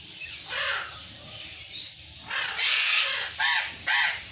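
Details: Burrowing parrot, also called Patagonian conure, screaming: harsh, raspy, broadband squawks, some short and some drawn out, given in an uneven series of about six loud bursts in four seconds.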